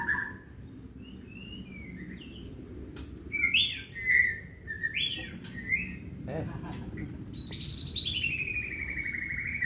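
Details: White-rumped shama song used as a lure for pet shamas at home: varied clear whistles, some rising and some falling, with sharp clicks, ending in a long, drawn-out whistle that slowly falls in pitch.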